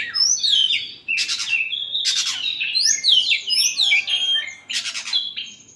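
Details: Oriental magpie-robin singing after sunbathing: loud, rapid, varied whistles and slurred notes with harsh buzzy bursts repeated about once a second, crisp and close.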